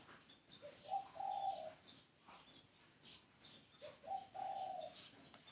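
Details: Spotted dove repeating its low song twice, roughly three seconds apart: a short introductory note, then a long, even, grainy coo, while small birds chirp high in the background.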